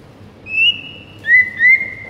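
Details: White-rumped shama whistling in a morning training recording for birds: a long pure high note followed by two shorter, slightly lower whistled notes, clean and loud.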